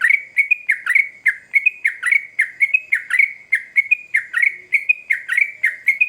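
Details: Yellow-vented bulbul (trucukan) singing intensely, used as a lure recording to draw quick responses from other birds: a fast run of short, sharp chirps, each dipping then levelling, repeated about three per second with steady loudness.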